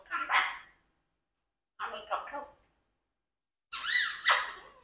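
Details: Pet Congo African grey parrot, a four-year-old adopted bird kept indoors with a flock, asking questions: three short bursts of speech-like words, the last with rising and falling whistled inflection, separated by pauses of about a second.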